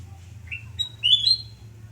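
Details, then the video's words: Morning song of a sooty-headed bulbul at a home in Surabaya, recorded 29 November 2017. One short phrase: a soft rising note, then a loud, bright, upslurred whistle. A low hum runs underneath. "Kicau merdu kutilangan emas"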